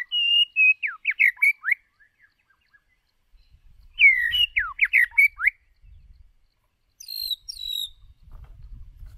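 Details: Decoy white-rumped shama in song for training other shamas' voices: two phrases of loud sweeping whistles and quick up-down notes several seconds apart, a thin high twitter later, soft low background rumble.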